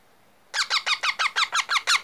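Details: Baby parrot giving a burst of nine harsh, rasping notes in quick succession, about five per second, each a short buzzy falling squawk, in a quiet indoor room.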